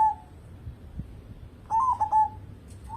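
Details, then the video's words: Local zebra dove singing actively, kept as a lure to get other birds singing. A faint coo opens, then one clear phrase of three quick, soft, mellow notes, with a brief extra note at the end. "burung perkutut lokal gacor cocok buat pancingan"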